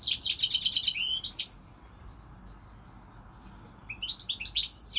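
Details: Singing European goldfinch: a rapid string of sharp repeated chips, a pause, then a renewed phrase of sweet twittering and upslurred notes.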